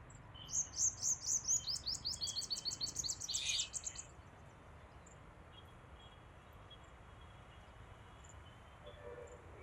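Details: Purple sunbird filmed on 12 February 2024; a rapid series of high, thin chirps in a descending run over about four seconds, followed by quiet background hiss.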